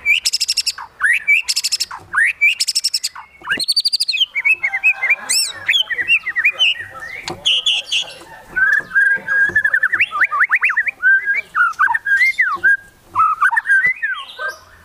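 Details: White-rumped shama singing in high excitement with fill-in phrases: rapid bursts of sharp high notes, then a long run of varied whistled slurs and chattering trills rising and falling without pause.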